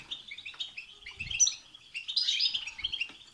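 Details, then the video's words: Goldfinch singing to stimulate other goldfinches, a rambling twitter of buzzy and tinkling notes that swells into a denser, louder chatter in the second half, faint low bumps underneath. "بتبتة وستستة تخرج الحسون عن السيطره..... هيجان خرااافي تسببه هذه البتبتة نار على نار سيغرد حسونك"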